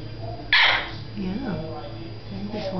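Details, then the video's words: A female red-fronted macaw, stubbornly refusing to fly to her owner during flight training, gives one loud, harsh, raspy squawk under half a second long; a woman softly calls her before and after. "Just making noise=Red Fronted Macaw"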